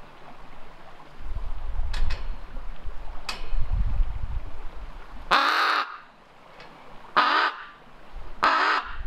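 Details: Female raven kept in an aviary, filmed unseen while alone and chatty: a few faint clicks, then three hoarse, grating caws spaced roughly one to two seconds apart, with low rumbling noise beneath.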